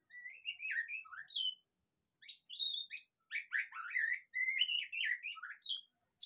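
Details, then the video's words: White-rumped shama song used as a lure to coax a quiet bird into full singing: varied clear whistled phrases, rising and falling slurs and quick trills in short bursts separated by brief pauses, with a steady faint high tone behind. "pancingan suara murai batu//agar cepat ngeplong"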